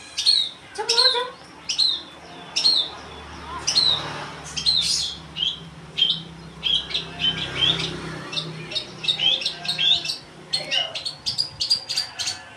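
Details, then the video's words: Long-tailed shrike giving a lively run of high, sharp chirps mixed with harsher scratchy bursts, the notes coming faster and denser toward the end, with low background rumble. "burung cendet/pentet"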